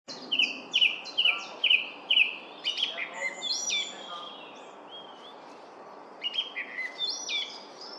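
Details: Thrush singing: clear whistled phrases repeated in quick series, a short note sounded about five times at even intervals, then varied fluting and warbled phrases, against a quiet background.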